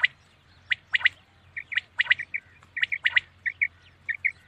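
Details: Common quail heard at night, with sharp clicking strokes followed by repeated groups of two or three short whistled notes, spaced roughly every half second.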